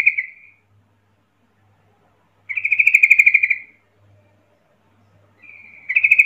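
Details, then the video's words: Sooty-headed bulbul call meant to prompt nearby bulbuls into answering: a short chatter, a long silence, then a loud rippling run of a dozen quick notes, and another chatter starting at the close. "10 macam suara panggilan trucukan gacor PALING AMPUH BIKIN LANGSUNG NYAUT RIBUT trucuk lain"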